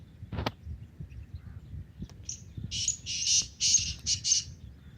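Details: A black francolin in a forest in the morning gives a harsh, grating phrase of about six rasping notes in quick succession. A sharp knock sounds early on, and a faint low rumble runs throughout.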